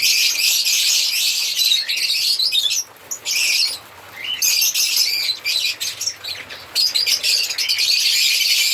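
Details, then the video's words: Singing and chirping African lovebirds keep up loud, high-pitched twittering, broken by a couple of short lulls before the shrill chatter returns. "Lovebirds singing sound/Lovebirds sound/African Lovebirds singing and chirping sound"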